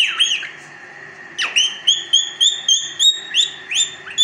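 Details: Indian ringneck parakeet, a pet parrot kept indoors, gives a run of sharp high chirps and whistled notes, about three per second, after an opening squawk.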